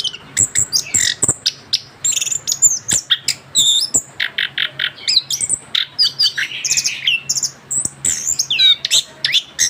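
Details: Young orange-headed thrush, just finished moulting, kept as a cage bird, singing a continuous rolling medley of varied whistles, sharp chirps and buzzy notes in quick bursts, with a steady low hum beneath.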